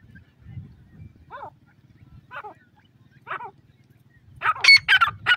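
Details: Three faint squealing grey francolin notes about a second apart over a low rumbling background, then loud shrill harsh calls bursting out rapidly at the end.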